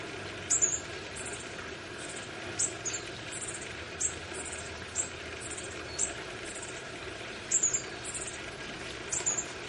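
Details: Bushtit nestlings being fed at their nest in a garden: very high, thin, clipped notes, singly or in quick pairs, roughly every second, over a steady low hiss and faint distant hum.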